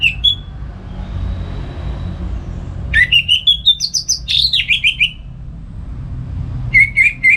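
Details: Morning ngeplong song of a captive orange-headed thrush in Singaraja, north Bali, played as a lure and tutor for other birds; a brief whistle, a quiet gap, then a two-second rush of rising and falling sweet notes, more notes later.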